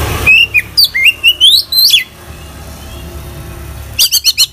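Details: Oriental magpie-robin (kacer) singing vigorously, a full song with inserted phrases: a run of loud whistled notes stepping upward, then a pause and a quick burst of short high chirps at the end; faint background hum.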